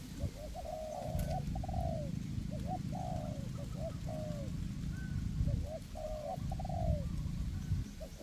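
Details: Caged spotted doves used as decoys in a forest, two birds combining to lure wild doves. Rhythmic husky coo phrases repeat about every second, with a faint high whistle and low background rumble.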